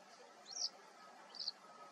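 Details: A territorial male western yellow wagtail, subspecies cinerocapilla, at Sant'Agata Bolognese, Italy, on 13 April 2022, gives two thin, high, slurred 'tsweep' calls nearly a second apart over a soft hiss of background noise.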